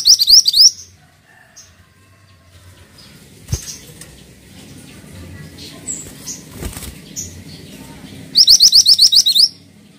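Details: Pied triller, singing actively: two short bursts of rapid, sharply repeated high chattering notes, one at the start and one near the end, with quiet faint background noise and a few soft clicks between them.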